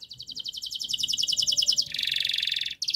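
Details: Canary delivering a very fast, close-packed high trill of sharp repeated notes. It switches abruptly to a lower, buzzier rattling trill and briefly returns to the high one. Used as model song for young canaries.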